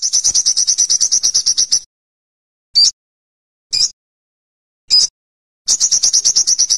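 An olive-backed sunbird gives a fast, high, thin trill of about twenty notes, three sharp single chips, then the trill again.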